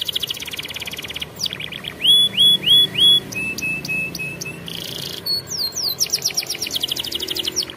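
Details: Young canaries' training song from a champion canary: a buzzy trill, four loud upward-curving whistles, a bright tinkling rattle, a buzz, then a fast sequence of falling sweeps.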